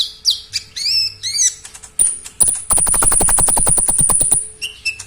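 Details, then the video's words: Oriental magpie-robin, locally called konin, singing loudly and actively in a song full of inserted isian phrases. Clear whistled notes and rising, arching sweeps give way to a fast, harsh rattling burst of repeated clicks under a thin, high, steady whine. "KONIN GACOR SUARA NYARING FULL ISIAN"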